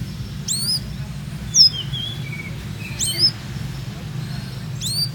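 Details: Olive-backed sunbird, known locally as kolibri ninja, from Purworejo, Indonesia, singing in the rhythmic "ngeroll nembak" competition style: thin, high, sharply rising chirps spaced about a second apart over a low steady hum.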